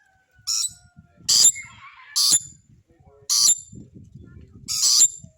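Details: Rainbow lorikeet giving short, shrill, screechy calls, five harsh bursts spaced about a second apart, with faint low rumbling and murmuring in the background.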